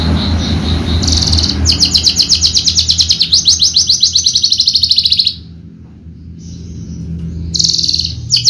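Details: Horsfield's bushlark of the javanica type, a contest bird with a full repertoire, singing fast repeated high buzzy notes in long rippling trills, pausing briefly before a fresh burst; low hum underneath.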